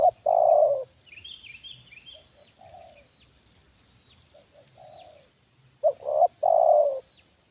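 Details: Spotted dove kept as a trained decoy reacts to a wild bird brought down for the second time: a loud hoarse coo, soft low coos, high chattering from another bird, then a loud stuttered three-part coo.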